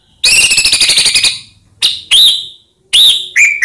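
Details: White-rumped shama lure to stir up silent shamas: a rapid buzzy trill of repeated notes followed by separate sharp, arched whistled notes.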